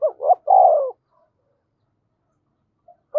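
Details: A spotted dove kept as a decoy gives one coo phrase: two brief rising notes then a drawn-out, slightly falling purring note, followed by quiet and the start of another phrase.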